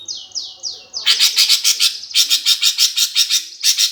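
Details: Greater green leafbird fighting song in the gereja tarung style, used to provoke competition birds: three falling whistled slurs, then a loud run of harsh, buzzy chirps repeated about three times a second.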